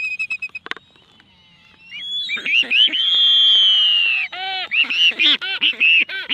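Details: Black-footed albatross; courtship calls; courtship display between a pair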